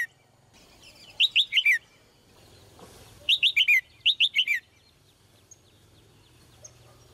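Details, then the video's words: Female red-whiskered bulbul delivering three lively phrases, each four fast whistled notes stepping down in pitch, over a quiet background with a faint low hum. "นกหัวจุก birds - เสียงนกร้องตัวเมีย ร้องได้ไพเราะมาก"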